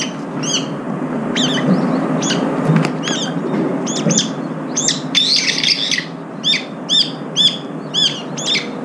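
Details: Several brown-eared bulbuls eating and competing for food, one using only its right foot. Sharp clipped chirps scattered at first, then a steady run of evenly spaced notes near the end, with wingbeat-like rustling.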